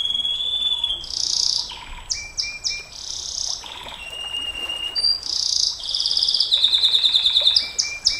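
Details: Canary delivering a long nembak panjang song for training other canaries: alternating whistled tones, short chips and harsh rolled bursts, building to a rapid pulsing trill of repeated notes, with steady faint background hiss.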